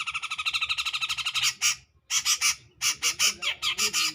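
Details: Grey-cheeked bulbul singing clearly and loudly to provoke a rival: a fast run of harsh, buzzy notes, roughly eight per second, breaks off briefly near the middle, then resumes with coarser, more spaced chattering strokes.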